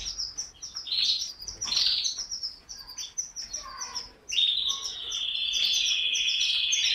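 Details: Canary song of quick high chirps and twittering notes for four seconds, then a sudden long, even, high-pitched trill held steadily to the end.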